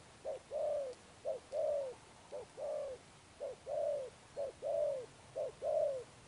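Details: Wild-caught spotted dove with a pigeon-like build, cooing in the Sấm Thổ style: six paired phrases, each a short low note and then a longer rolling coo, repeated about once a second over quiet background.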